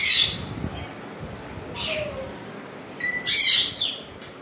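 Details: Pet African grey parrot at home: a harsh squawk at the start, a brief falling whistle mid-clip, then a short whistled note followed by a loud raspy squawk.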